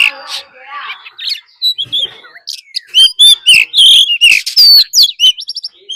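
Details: Decoy Oriental magpie-robin singing its fighting song, with a wild female's call, to rouse other birds: scratchy notes at first, then loud, overdriven whistles and quick chirps, about three a second.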